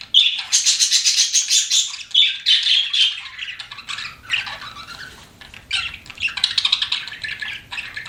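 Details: Pet budgies chirping: a busy run of buzzy, rasping warble at first, then quieter scratchy chatter and a fresh burst of squawky notes near the end.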